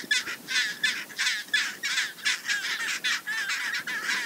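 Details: Chinstrap penguins nesting with chicks at a windswept colony on Georges Point, Ronge Island, Antarctica, give harsh, raspy, crow-like squawks in quick overlapping bursts, about two a second, amid colony din and wind.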